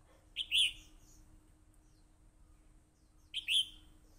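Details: Red-whiskered bulbul (hello crest) singing in fighting form: two short, loud, rich warbled phrases around three kilometres-high pitch, each a quick rising-falling flourish, about three seconds apart, with a steady low hum behind and quiet gaps between.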